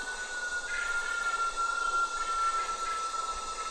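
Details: White-winged potoo (Nyctibius leucopterus) at night giving one long, pure whistle that holds a steady pitch and falls slowly over nearly four seconds, against a constant hiss of night insects.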